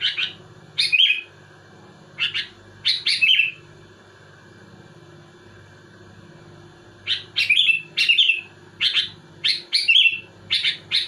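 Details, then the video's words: Sooty-headed bulbul song meant to provoke other bulbuls: a few chirp bursts, a quiet gap of several seconds, then a dense run of bright repeated notes, some with fluttering trills, over faint steady hum. "Suara burung kutilang gacor muntahin isian tembakan rapat menekan lawan bikin kutilang lain emosi"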